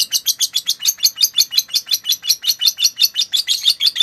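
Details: Lovebird song as master material for other birds: a tight run of high, squeaky chirps, about five per second, evenly paced and bright.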